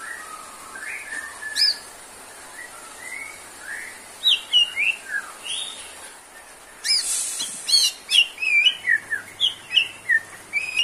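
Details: White-rumped shama singing: mellow whistled notes and sharp upslurs, breaking into a fast, varied sequence of loud, chippy phrases in the second half.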